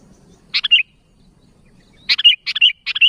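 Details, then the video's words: Sooty-headed bulbul calling to its companions: a short bubbly three-note phrase, then after a pause three more quick chattering phrases in a row, clear and close with faint low background hum. "Suara Burung Kutilang Gacor Memanggil Kawan"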